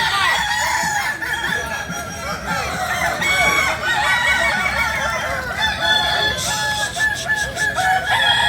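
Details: Kukuak Balenggek chickens, native to Solok in West Sumatra, crowing continuously. Overlapping stepped and bending crow phrases pile up, bright and harmonic, over steady hiss and low murmuring.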